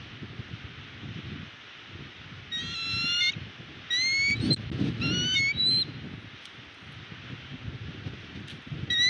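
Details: A bald eagle on the West End nest cam, 22 February 2022, while Akecheta again guards its nest, gives bursts of thin, high, piping chirps in quick stuttering runs, several times over nine seconds, over low steady wind rumble.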